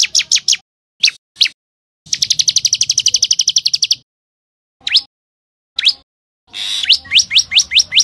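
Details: Sharp rising chirps of a common tailorbird in short bursts, including a long, fast, rattling sequence of notes and a closing series of evenly spaced upward-sweeping chirps.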